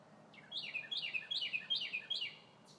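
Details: A red bird sings in the trees on a sunny spring day: a run of five clear, high whistled phrases, each sliding steeply downward, repeated quickly and evenly over a quiet background.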